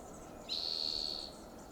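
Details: Red-tailed hawk on a high perch in Del Monte Forest, California, after eating a large fox squirrel: one loud, high, drawn-out scream holding a steady pitch for nearly a second, then fading.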